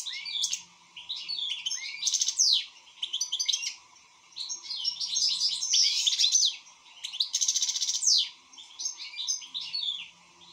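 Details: European goldfinch song in good form: energetic twittering with harsh buzzy bursts and bright chirps, several loud phrases broken by short gaps, a constant low hum in the background.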